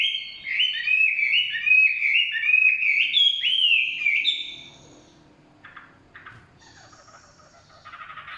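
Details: Chinese hwamei in forest: loud rapid string of repeated slurred whistles for about four seconds, then quiet with faint distant chirps.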